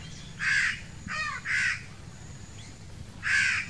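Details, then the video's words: Crow young demanding food: four rasping, nasal caws, loud and broad, one with a wavering, pulsed texture, spaced roughly a second apart over low background hum. "Little and big crows crowing sounds | crow kids demanding for foods"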